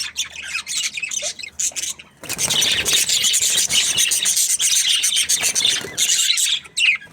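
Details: Budgerigars chattering in an aviary: after a few scattered chirps, a sudden loud wall of buzzy, overlapping warbles and squeaks fills the rest, easing to single chirps at the end.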